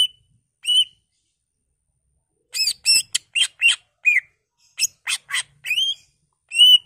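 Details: Greater green leafbird song with imitated phrases, used to urge other leafbirds to sing: whistled notes broken by a rapid tumble of high buzzy chirps and trills, ending on a clear rising whistle.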